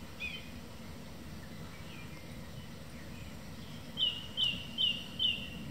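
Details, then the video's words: Evening song of a song thrush, a sharp whistled note repeated four times at even spacing, about every half second, after a faint opening phrase, against low steady background noise. "Song Thrush singing in the evening"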